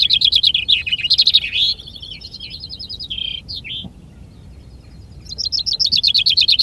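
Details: Common chaffinch song at a vinkenzetting, a finch-singing contest in Ardooie: a loud, rapid descending trill ending in a flourish, a brief pause, then another fast trill series starting, with softer songs of other finches behind.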